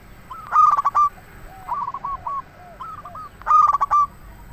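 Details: Local zebra dove song used to lure and excite other doves: a loud trilled coo phrase, a quieter series of rolling coos from another dove, then the loud phrase again.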